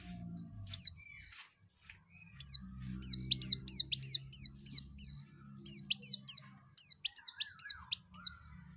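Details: Pleci, the Oriental white-eye, singing ngekek: a continuous rapid run of high, sharp downslurred chips, several each second with scarcely a pause, over a faint low hum.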